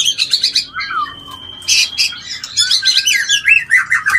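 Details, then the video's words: White-rumped shama mating call used to stimulate mating: a rich, varied run of loud whistles, sliding notes and buzzy bursts, with a long steady whistle near the start and rapid descending phrases toward the end. "Suara Panggilan Kawin yang Paling di Suka Murai"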